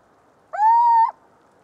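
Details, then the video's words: One loud Little owl note, a mewing hoot that slides upward and then holds a steady pitch for about half a second before ending abruptly, with faint hiss around it. "Canto do mocho-galego (Athene noctua)"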